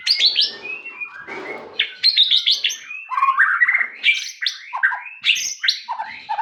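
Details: White-rumped shama singing a dense, energetic mix of harsh chatter, sharp whistles and descending slurred notes with little pause.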